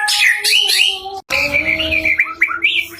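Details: White-rumped shama in vigorous song of scratchy, high sliding notes, a brief pause, then chattering phrases and short downslurred whistles over a steady low tone.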